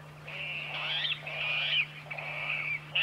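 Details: Water rail giving harsh, drawn-out squealing notes in three long bursts, each a rough band that wavers and slides slightly, with short gaps between; a steady low hum runs underneath.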